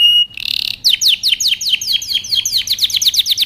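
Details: Excited male canary pressing a female toward mating, starting with a pure whistled note and a short buzz, then a brisk, regular string of bright descending chirps that quickens toward the end.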